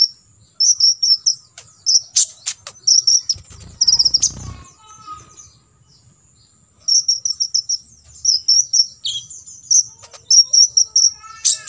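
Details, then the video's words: Olive-backed sunbird, 'full tembakan isian' song recorded for imitation training: fast buzzy trilled bursts of very high notes repeated in quick series, interrupted midway by a short burst of low noise, then resuming. "KOLIBRI NINJA (KONIN) FULL TEMBAKAN ISIAN"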